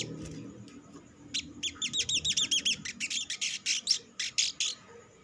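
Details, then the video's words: Lure song of an olive-backed sunbird, meant to prompt other sunbirds into singing: a fast run of high, buzzy upslurred notes giving way to rapid sharp chips, several per second, over a quiet low hum. "SUARA PANCINGAN BURUNG SOGOK ONTONG; Merangsang sogon ijoan cepat bunyi"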